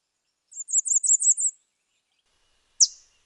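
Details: Bay-breasted warbler: one very high, thin song of seven or eight rapid wavering notes lasting about a second, followed after a pause by a single sharp high chip.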